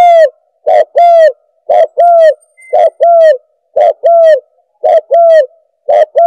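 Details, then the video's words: Spotted dove call used as a lure for doves: loud, harmonic-rich coos in paired notes, a short note then a longer falling one, repeated about once a second in a steady rhythm. "Suara Pemanggil Burung Tekukur"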